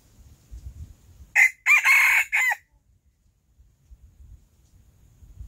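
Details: Early-morning crow of a Silkie rooster: one loud three-part cock-a-doodle-doo with a short first note and a long, rough middle. Faint low rumbling comes before and after.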